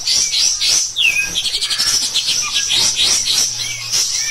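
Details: Pied triller, called kapas tembak, singing loudly and persistently in rapid 'tembak' bursts, kept as a master recording to train other songbirds; dense, high, fast chattering notes with short downward-sliding whistles, nonstop for the whole stretch.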